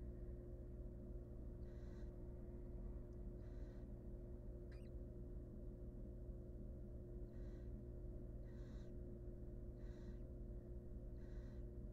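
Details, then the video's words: Hungry wild barn owl nestlings begging in a monitored nest box while the family stockpiles food: faint, breathy hissing bursts recur roughly every one and a half seconds, with a single sharp click midway, above a steady low electrical hum. "Barn Owl Family's Massive Food Supply for Their Hungry Nestlings"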